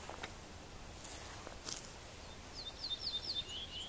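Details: Ortolan bunting singing in Västmanland: a short, faint phrase of thin, high, clipped notes that step slightly downward near the end, over steady outdoor background hiss.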